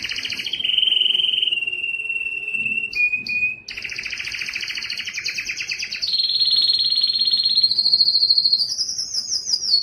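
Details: Song of a yellow canary, a chain of fast rolled trills at shifting pitches, some low and dry, others bright and high, with brief whistled notes between and a climbing final phrase.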